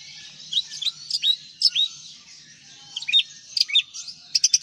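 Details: White-rumped shama from Aceh giving high, sharp chirps and short whistled notes in loose bursts, ending with rapid ticking notes, over a faint high hiss.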